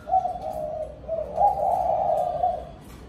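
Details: Spotted dove calling the flock at dusk. A short coo is followed by a longer, louder, drawn-out cooing phrase that swells and then tapers off.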